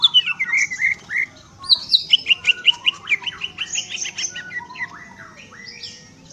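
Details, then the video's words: Greater green leafbird singing a fast, varied run of clear whistled and chirped notes, some sliding down, with a burst of rapid repeated notes around the middle that fades toward the end; faint low hum behind. "burung cucak ijo"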